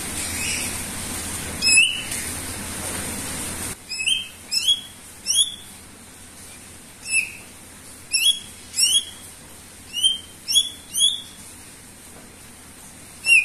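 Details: Gacor song from a greater green leafbird, meant to prompt other birds to sing: after a noisy opening, loud sharp chirps and squeaky whistled notes come singly and in pairs at uneven intervals.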